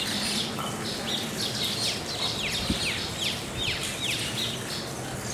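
Baya weavers chatter in a dense stream of short, high, downslurred chirps that overlap from several birds at once, over a steady background hiss.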